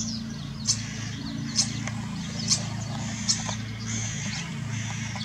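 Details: A common starling on İnönü University campus gives thin, high whistles and clicks about once a second, over a steady low hum and faint background noise.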